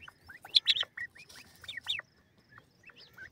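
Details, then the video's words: Grey francolin (teetar) calling: short, sharp, rising whistled notes in quick ringing bursts, with a brief pause and a few softer notes after. "jose teeatr ki awaz,partridge bird full sound"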